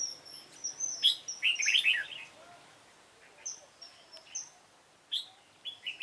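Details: Red-whiskered bulbul, dark-bibbed form, recorded at a trap site on 28 February 2017; a loud warbled phrase rising and tumbling, followed by thin high whistles and isolated short chirps.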